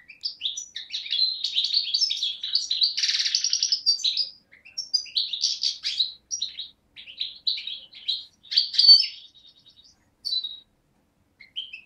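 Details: A young European goldfinch hatched in 2011 from Beni Snassen on the Morocco–Algeria border, recorded 8 January 2012, sings a quick tinkling run of high twittering notes, buzzy trills and liquid chirps, with brief pauses between phrases.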